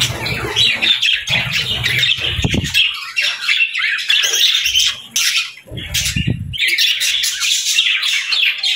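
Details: Budgies chirping continuously, a dense overlapping chatter of warbling, squeaky notes with bursts of louder squawks and occasional low fluttering sounds.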